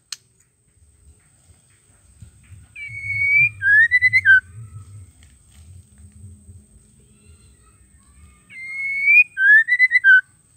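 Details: Female White-rumped shama used to goad males into singing gives two identical phrases about six seconds apart. Each is a long bright whistle followed by a lower rising-falling note broken into fast pulses, over a soft low hum.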